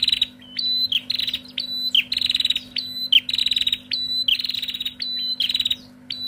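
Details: Female Bar-winged prinias answering each other loudly, each phrase a clear high note sliding into a dry buzzy trill, about fifty phrases a minute, with a faint continuous hum.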